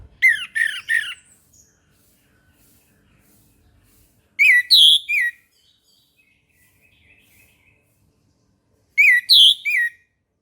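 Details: Morning song of an orange-headed thrush, used to stimulate quiet birds to sing: three bursts of shrill, rapid whistled notes with descending slurs, separated by pauses holding faint soft chirps.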